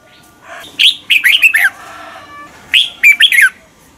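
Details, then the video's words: Red-whiskered bulbul morning song used as a lure bird for training others to sing. Two quick phrases of about five bright, warbling notes that dip and rise, separated by a soft pause with faint background hum. "luyện chào mào hót sáng. Hót hay nhanh căng lửa. Kích chào mào ché."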